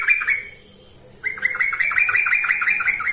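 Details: Singing yellow-vented bulbul used as a training lure: one brief note, a second of quiet, then a steady stream of fast, warbling, bubbly chatter repeated nearly three times a second to the end.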